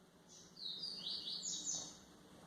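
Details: Song of a white-throated seedeater used to train young birds, a quick high twittering phrase of sweeping, slurred notes lasting under two seconds against a quiet hum.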